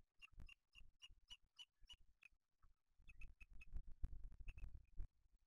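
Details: Booted eagle at a nest with chicks in Spain, 8 July 2023, as the male arrives with a small bird for the older chick; high thin notes repeated about three per second, with low thumps and rustling at the nest.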